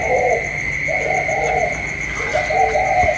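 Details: Spotted dove in a cage calling against a wild dove, 27 October 2022; three soft, throaty coo phrases with a second bird's coo layered beneath, a continuous high whine in the background.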